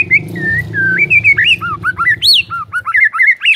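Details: Loud white-rumped shama song played to prompt silent birds to sing: clear fluting whistles that rise, fall and twist, delivered in short varied phrases with a low hum beneath.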